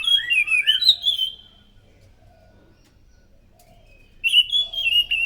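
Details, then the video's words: Thrush song used as a lure to draw in other thrushes: a loud, rich burst of high whistled, warbling notes rising and falling for over a second, then silence, then another whistled phrase begins. "PANCINGAN BUNYI BURUNG ANIS SANGAT EFEKTIF, SUARA ASLI ANIS MACAN GACOR TEMBAKAN SUARA NYARING!"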